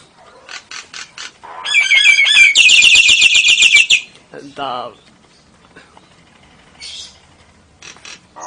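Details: Nias hill myna mimicking lovebird and canary: scattered clicks build into a dense, rapid trill of bright chirps lasting about two seconds, then a falling buzzy note and sparse quiet chatter.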